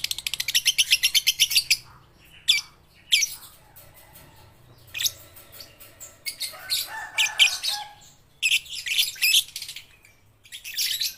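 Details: Young lovebirds under five months old at the learning stage, giving quick, evenly pulsed high chirps at first, then broken, irregular squeaky chatter with pauses, ending in a final sharp burst.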